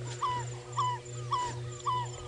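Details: At sunrise on 24 February 2018, in Djuma Game Reserve, Sabi Sand, South Africa, a distant African barred owlet gives four soft whistled notes near one pitch, each rising then levelling, about twice a second, over a low engine hum.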